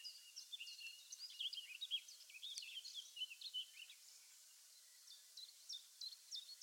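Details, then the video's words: Eurasian blackcap delivering a loud, tumbling warble of clear whistles and chatter for about three seconds, then a short pause and a sparse series of sharp, high single notes. "The Chatty BlackCap"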